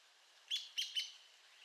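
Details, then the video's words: Three short, sharp high notes in quick succession from an Arizona woodpecker, with a thin whistled tone underneath, over a soft hiss. "Arizona Woodpecker Bird Sound Video: Woodpecker Nature Sound Effects"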